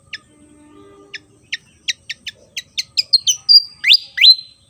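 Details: Javan fantail, an insect-eating bird with a fan-shaped tail found on Java, singing energetically: a series of sharp high chirps that speed up, ending in loud, slurred whistles that rise steeply and then hold level. No other sounds.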